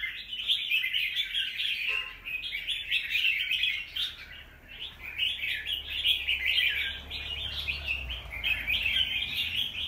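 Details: Recorded 25 December 2023, a wild-caught young red-whiskered bulbul sings about ten seconds of continuous chattering warble in repeated bright phrases, dipping briefly mid-way.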